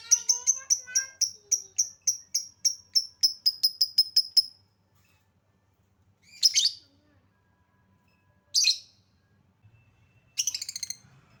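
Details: Lovebird lure recording to draw song from lovebirds: a rapid, steady train of about fifteen high, clipped chirps over four seconds, followed after a pause by three separate harsh, buzzy screeches.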